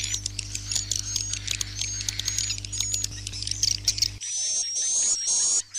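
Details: Edible-nest swiftlets in a swiftlet-farming roosting lure recording give dense, high, thin chirps and twitters over a steady low hum, followed by a clearer run of sharp, rapid chirping.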